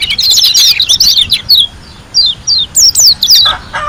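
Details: Wild-caught white-eye from Lombok in lively full song: rapid high twittering phrases and descending whistled slurs, broken by short pauses.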